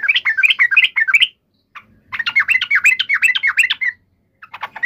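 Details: Excited fighting chatter of a yellow-vented bulbul, used to make other birds reply instantly: quick runs of warbling, up-and-down notes in two long bursts, then a brief pause and a fresh start.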